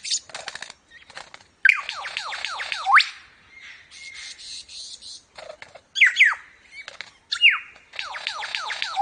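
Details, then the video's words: Lyrebird, said to imitate other sounds of nature, producing rapid series of descending whistled notes in several bursts, mixed with scratchy clicks and a brief steady tone, with short gaps between phrases. "Lyrebird Sounds| Lyrebird Making Unique Sound"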